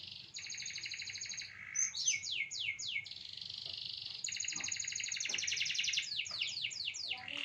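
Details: Canary song in a short phrase set yet fairly long duration: buzzy rapid trills around high pitch alternating with quick descending whistled sweeps, a brief lower note near the second second, steady low hum beneath.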